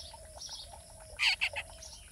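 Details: Baby spiny babbler: three short, harsh, bright bursts packed closely together in the middle, rising above a steady low hiss and faint background chirps.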